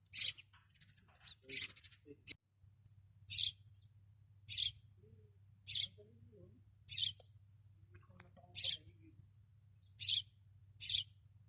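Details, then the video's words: Sparrow (maya) perched on top of a caravan in the desert gives bright, high chirps about once a second, sometimes in quick doubles, over a faint low hum. "sparrow singing"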